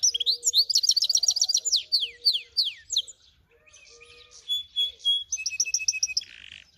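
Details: Finch × canary hybrids open with a fast, tight trill of high repeated notes, then several descending slurred whistles. After a short lull, softer twittering and a quick trill follow.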